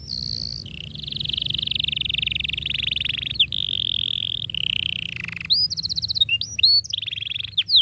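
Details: Canary song used to teach young canaries to sing, in the style called ngerol rapat: long rapid trills and rolls of high buzzy notes, then quick upslurred whistled chirps near the end, with a low steady hum beneath.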